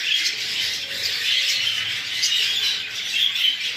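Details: Fancy English budgerigars of the exhibition and hogoromo kinds keep up a constant high-pitched chatter, many voices overlapping in chirps and short squawks.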